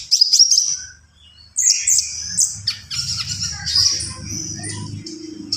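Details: Javan pied starling giving high whistled and buzzy phrases after a short pause, with chattering notes over a steady low background hum.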